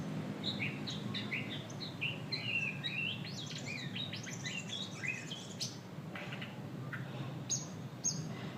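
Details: White-rumped shama pouring out a dense, rapid song of mixed whistles, trills and sharp chips, fading to scattered notes against a low background hum.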